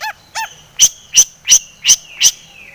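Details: Long-tailed shrike in full-fill song used as a lure for singing: two lower nasal notes open, then five loud, piercing high chips evenly spaced about every third of a second, clean background.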